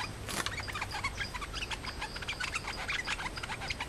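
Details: Nok dok taeng, a resident bird and a challenger that fight rather than sing, give a rapid jumble of short, sharp mid-to-high chirps and twitters bursting several times a second over a faint outdoor hiss.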